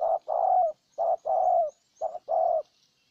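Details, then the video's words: Vietnamese spotted dove decoy in Ninh Thuận luring a wild bird: three paired phrases, a quick low coo then a longer coo that slightly falls at the end, regular and loud. "Cu Gáy Ninh Thuận clip 144 [ Hiệp 2 ] Mồi Siêu Gù thu phục bổi quá tuyệt vời"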